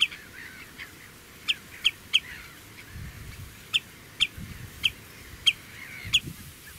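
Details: Loud alarm of a common redshank guarding two chicks at the Karrevelden by the Oesterdam on Tholen, perched on a post near a car: clipped, shrill single notes roughly every half second in uneven runs, over faint low background noise.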